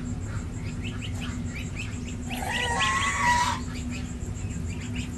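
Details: A six-day-old domestic gosling on a village farm in India gives rapid, thin, rising peeps several times a second. A louder, harsher, layered call sounds midway, and a steady low hum runs underneath throughout.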